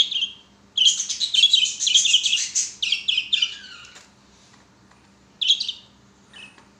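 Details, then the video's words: Budgerigars, including a yellow one, sing and play on a swing: a fast run of chattering, scratchy chirps for about three seconds, then a few softer notes and a short chirp burst. "Budgie sounds or budgie singing"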